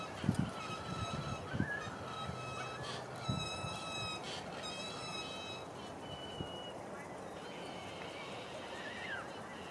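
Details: A galah pair with a juvenile in a tree near the Swan River, South Bank, Perth, giving harsh drawn-out screeches, some rising at the end, several overlapping, over a low rumble of wind.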